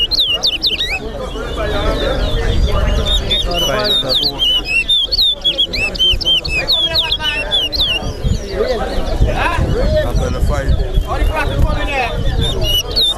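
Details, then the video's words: Towa towa (chestnut-bellied seed finch) singing in an all-star competition at Lusignan, Guyana: long sequence of rapid whistled, curling notes, amid crowd talk, faint music and applause. "TOWA TOWA BIRD SINGING COMPETITION"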